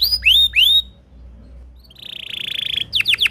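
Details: Timbrado canary singing melodic training song: two bright upswept whistles, a pause, a soft fast buzzy trill held on one pitch, then sharp falling notes.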